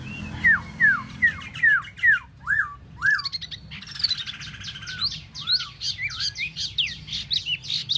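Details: Tieu mi bird repeating clear downslurred whistles about every half second, then breaking into a faster, more varied warble of rising and falling notes.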